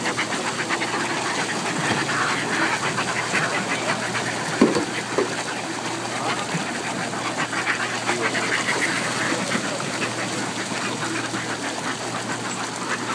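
A dense, continuous din of hoarse, quacking cackles from many Northern Fulmars at once, rough and chattering throughout, with a steady background rush.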